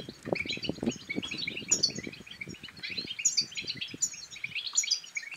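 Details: European goldfinch song aimed at exciting other goldfinches to sing and breed; quick sparkling twitters with occasional sharp high accents, over frequent low clicks and knocks.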